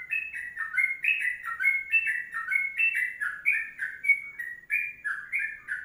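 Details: Sooty-headed bulbul singing a long 'kongslet panjang' (ropelan panjang) song style: a continuous run of bubbly, liquid whistled notes sliding up and down, about one note every third of a second, with no other sounds.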